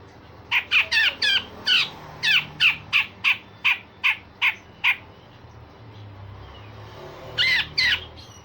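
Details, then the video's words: Grey-cheeked bulbul, a singing bird used to train other songbirds, giving rough harsh notes and sharp bursts: a run of about twelve loud raspy calls spaced a third of a second apart, a pause, then two more. "Cucak jenggot Besetan Kasar dan Tembakan Tajam"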